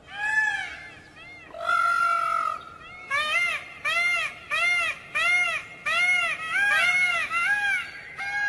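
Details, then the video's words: Peafowl: a long wailing note, a flat drawn-out honk, then a steady series of short, arching, trumpet-like calls, about two per second, each harsh and harmonic-rich. "Tiếng chim công đẹp"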